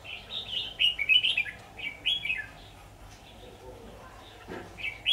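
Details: Red-whiskered bulbul, decoy-bird trapping session dated 23 October 2019: rapid clusters of clear whistled and warbled notes in the first half, then a pause and a lone phrase at the close.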